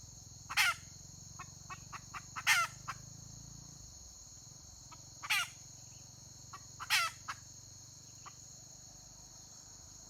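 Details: Female red junglefowl, recorded 31 May 2023, repeats loud harsh rasping calls roughly every two seconds, mixed with soft scattered clucks, against a constant high-pitched whine and faint low hum.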